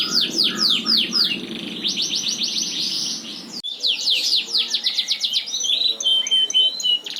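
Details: Persistent long song of an F1 Yorkshire canary, noted for its clear, strong voice: rapid rattling trills, swooping whistles and a steady high tone near the end, with a brief break midway.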